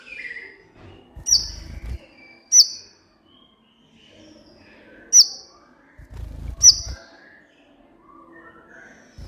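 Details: Kolibri ninja sunbird recording meant to coax captive birds into singing. A few isolated, piercing high chips are spaced several seconds apart, with faint soft twitters and occasional low rumbling thumps.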